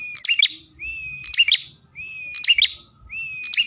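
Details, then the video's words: Ashy tailorbird song meant to attract birds: short, rising whistles lead into sharp, clustered chips, repeated roughly once a second. The surroundings are quiet. "MASTERAN PRENJAK KEPALA MERAH"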